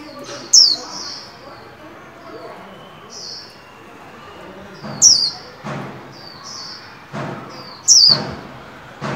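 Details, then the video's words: Caged white-eye in training for its líu song at the 2021 new year: three sharp high downslurred whistled notes, spaced several seconds apart, with soft thuds and faint background noise between. "Vành khuyên líu hay đón mừng năm mới 2021! Cùng kích bổi luyện khuyên nào!"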